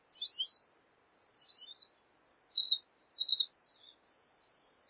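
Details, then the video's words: Pine siskin calling with coarse, wheezy buzzes and short chips, ending on a long, drawn-out rising buzz. "Pine Siskin Song! Call! Sound! Singing! Chirp!"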